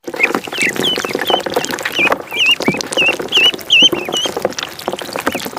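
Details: Ducklings in a pond giving repeated high, wavering peeps, several a second, over constant splashing and a busy noisy background.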